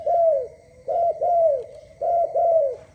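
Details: Dove in early-morning song, giving clear, loud coos that slide gently downward, spaced in pairs about a second apart, with little else heard.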